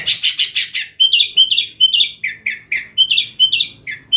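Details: Sooty-headed bulbul (kutilang) kept in Jember, East Java, Indonesia, singing the lively gacor style with filler phrases: opens with fast harsh notes, then repeated whistled two-part phrases and lower chirps at a steady pace.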